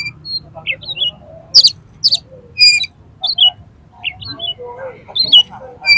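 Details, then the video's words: Oriental magpie-robin in fighting mood, highly aroused, singing to provoke other magpie-robins into spreading their tails: varied clear whistles, rising and falling slurs and sharp high buzzy notes in quick irregular bursts, low background hum. "KACER TARUNG EMOSI TINGGI !!! PASTI LANGSUNG BUKA EKOR KACER MANAPAUN MENDENGAR INI"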